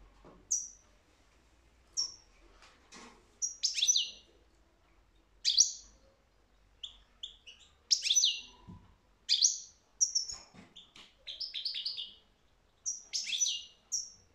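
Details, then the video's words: European goldfinch delivering a long sequence of sharp, high, liquid twitters and rapid tinkling runs, spaced irregularly, with quiet pauses and faint clicks between phrases. "تغريد الحسون"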